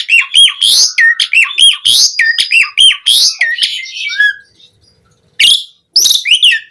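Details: Powerful varied song of a jalak suren, Asian pied starling, used as a lure and tutor for caged starlings: rhythmic repeated squawk-whistle phrases, a pause, then loud harsh bursts and slurred notes.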